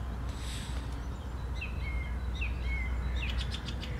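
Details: Sunday-morning song of a song thrush, 11 April 2021: a few clear whistled notes with quick upward flicks, one repeated, then a burst of sharp high notes, all over a steady low hum.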